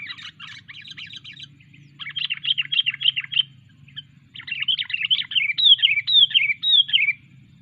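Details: Sooty-headed bulbul in training sings bursts of quick, high twittering notes, ending in a series of loud, sharply falling slurred whistles, with a faint low hum throughout.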